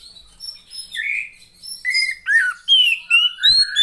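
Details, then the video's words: Female Oriental magpie-robin, a sound used to stir lazy males into singing. Clear high whistled and chirping notes, some rising, others dropping, come in quick varied bursts that grow louder toward the end, with a quiet background. "SUARA KACER,POCI BETINA,terapi untuk memancing burung jantan yang males bunyi"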